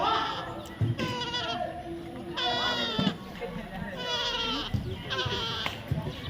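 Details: Young parrot giving repeated drawn-out, bleating calls, each note falling in pitch and rich in overtones, four main bursts spaced roughly a second apart, with people talking softly in the background.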